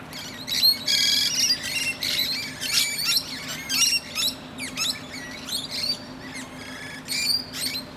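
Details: Dense run of sharp, piercing squeaks and rasping screeches from a musk lorikeet sitting on a branch and chatting to other birds, calls crowding one after another almost without pause.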